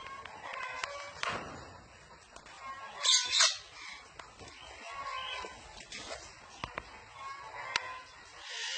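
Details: A parrot calling. Harsh, rasping squawks come in a loud double burst, with scattered shorter tonal notes and clicks before and after it, over a steady background hiss.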